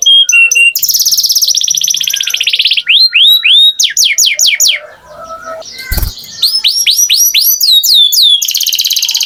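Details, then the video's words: Canary singing loudly: fast buzzy rattles, sweeping upward-curving whistled notes repeated in quick series, and bright trills, with a brief soft pause and a click midway. "Canary Singing Beautifully"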